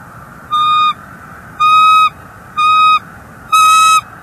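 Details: Nesting bald eagle in North East Florida, January 30 2024, voicing displeasure at an intruder eagle perched near the nest: four loud, steady, rich-toned calls, each about half a second long, spaced roughly one second apart.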